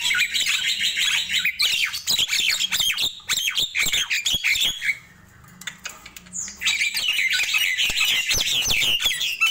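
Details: Nias hill myna in morning song, loud rapid run of harsh squawks mixed with bent whistles, a brief pause near the middle, then the chattering outburst resumes.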